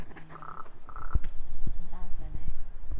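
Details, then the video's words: A Common Raven makes odd low croaks and short nasal, gurgling notes, with a sharp knocking click partway through, in an uneven run of varied sounds. "Weird raven sounds"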